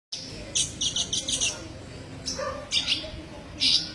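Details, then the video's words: Olive-backed sunbird (kolibri ninja) song used as a tutor recording for songbirds: bursts of high, thin chirps and trills in short clusters, with a faint low murmur underneath. "masteran burung Kolibri ninja"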